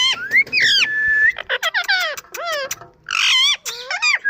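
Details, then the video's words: Varied Indian ringneck parakeet chatter: rising squeaks, a long flat whistle, then descending harsh squawks and a dense screech before more bending calls. "parrot Saound Nacharal saound indian Ring neck parrot"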